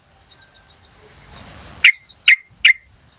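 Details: Wild yellow-vented bulbul, recorded in natural surroundings as a lure for wild birds, giving three loud, harsh 'chuk' notes about 0.4 seconds apart after a quiet stretch, over a steady high insect buzz.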